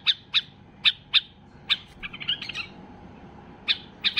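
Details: White-eared bulbul (Basra bulbul) in full excitement, singing to get other bulbuls singing: loud, sharp, clipped notes, then a brief warbled twitter, a short silence, and a final cluster of three strong notes.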